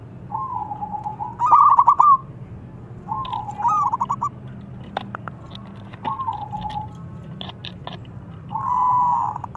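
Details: Local zebra dove singing to challenge opponents: four spaced phrases of a sustained coo with rapid stuttering notes, separated by pauses, with scattered sharp clicks and a low background hum.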